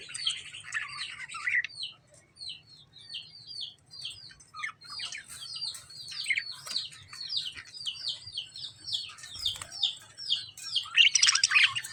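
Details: Lovebird chirping, with a long, rapid sequence of short high falling chirps, more than three per second, framed by harsher, noisy chatter at the start and end.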